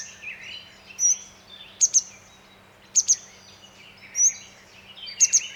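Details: A grey wagtail by a mountain stream calls with sharp, high metallic double notes about once a second and thinner whistled notes between, over the steady rush of the water.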